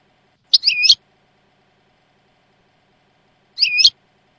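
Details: European goldfinch, Jordanian song style, training recording without faults: two brief, bright twittering notes roughly three seconds apart, otherwise near silence.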